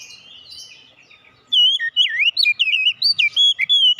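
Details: Kacer (oriental magpie-robin) singing, meant to revive a kacer that has stopped singing: soft chirps first, then a loud burst of quick, rolling whistles and sharp chip notes, about a dozen notes in rapid succession.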